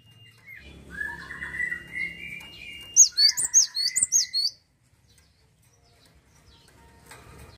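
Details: Cinereous tit singing energetically: a lower wavering whistle over a low hum, then a quick series of high, sharp hooked double notes repeated several times before falling silent.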